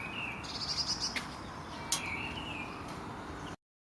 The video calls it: Robin Making Strange Noise